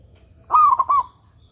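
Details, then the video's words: Local Indonesian zebra dove in full song, recorded as a master for training doves that have stopped singing: one soft cooing phrase, a long low coo followed by three quick clipped notes, over a faint steady hum. "suara perkutut lokal gacor"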